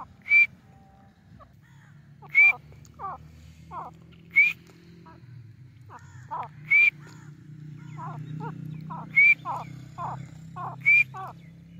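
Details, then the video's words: Loud, shrill grey francolin notes ring out about every two seconds, with softer clucking notes between them over a low background rumble. "gray francolin voice and sound"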